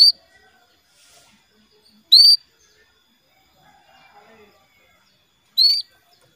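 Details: Female canary calling for the male, used to encourage a male to sing: three brief high chirps, each a quick rising slur, spaced two to three seconds apart over near silence.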